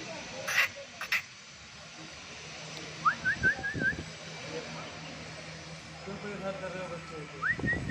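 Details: Young bulbul: a quick run of five short, thin rising chirps, then another pair near the end. Human speech and low background rumble run throughout.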